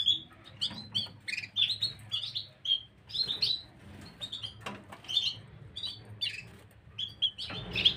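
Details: Gloster canary recorded 9 January 2023, delivering a busy run of high chirps, sharp whistled notes and brief trills, several bursts per second with short pauses, a steady low hum beneath.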